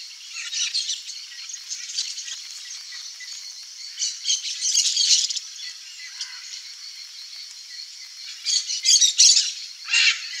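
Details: Red-and-green macaw feeding its chicks in the wild: harsh, raspy squawking bursts rise over a constant high background hiss, loudest around the middle and in a cluster near the end.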